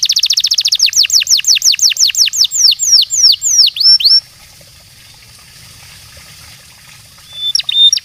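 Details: Song of a New Zealand Singer canary: a very fast, high trill that gradually slows into wide sweeping downward whistles, then about three seconds of near silence before a few brief high notes.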